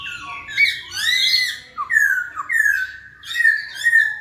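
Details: Clear, loud slurred whistles from a masked laughingthrush, the poksay Hongkong, each phrase bending down and up, delivered in separate bursts with brief gaps between.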